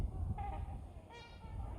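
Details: Healthy Trumpeter Swans give two drawn-out, nasal, horn-like calls, one right after the other, over a steady low rumble, heard beside a lead-poisoned cygnet gasping for air.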